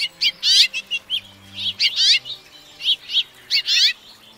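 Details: House finch singing, a North American bird of suburbs, open woodland, brushy edges and deserts: short bursts of bright, twangy notes and buzzy rattling phrases, several separate phrases with brief pauses between them.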